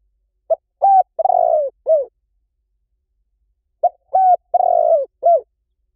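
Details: Decoy recording of a spotted dove, meant to draw wild doves in fast. Two clear cooing phrases, each made of a brief note, a rising coo, a long rough drawn-out coo and a clipped falling coo, about three seconds apart, with no other sounds.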